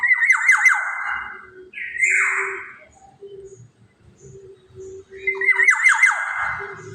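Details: Black-naped oriole giving harsh, nasal, scratchy calls that drop steeply in pitch. Two bursts come about five seconds apart, with a short higher note between them and a faint steady hum underneath.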